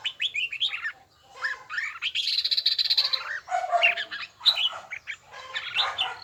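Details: Red-whiskered bulbul in song training, pouring out busy, overlapping warbles and chirps, including a sustained buzzy stretch in the middle, loud and continuous, possibly with other birds mixed in.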